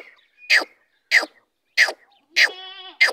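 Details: Big female grey francolin giving loud, rasping notes roughly every second or so. A short buzzy, vibrating note trails off after the fourth burst.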